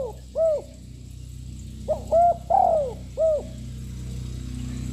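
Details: Young spotted dove with a loud voice, cooing continuously to provoke other birds: four mellow, low coos, the third longer and sliding downward, spaced about a second apart over a steady low hum.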